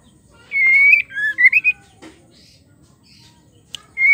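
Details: Female white-rumped shama call used to provoke male shamas to sing: one long clear whistle followed by three or four short swooping notes, then a fresh whistle starting at the end; low background hum.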